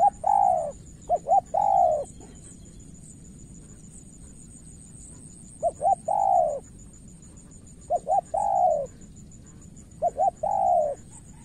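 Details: Cooing of a spotted dove in Cà Mau, Vietnam, where a decoy bird tries to win over a wary opponent: four evenly spaced phrases, each a pair of short coos followed by a longer swelling coo, with a thin electronic whine behind.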